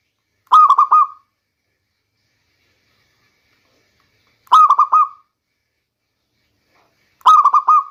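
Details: Rainy-season lure recording of a local zebra dove: three evenly spaced cooing bursts, each a brief run of throaty, bubbling notes trailing into a held tone, separated by long quiet gaps.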